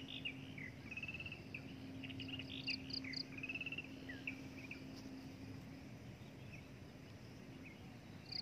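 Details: Breeding adult drongo giving a quick run of short whistled and chirping notes, some slurred or trilled, over a steady low hum and faint insect background.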